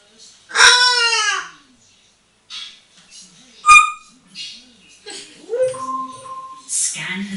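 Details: Indoors in a bathroom, a hand-trained eight-year-old female African grey parrot, molting, plays on a towel rail: a harsh harmonic squawk falling in pitch, a sharp click, then steady whistled tones and chatter.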